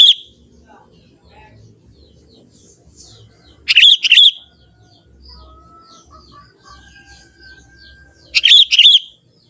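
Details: Sooty-headed Bulbul, a young forest bird, giving its natural song: short burst at the start, then two quick liquid gurgling phrases of two or three notes roughly four to five seconds apart, with faint distant chirps between.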